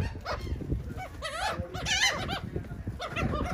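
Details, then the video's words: Seagulls eating cake in Atlantic City, New Jersey, giving harsh, wavering cries with stacked harmonics in bursts, over low crowd and traffic rumble. "Seagulls are eating Cake"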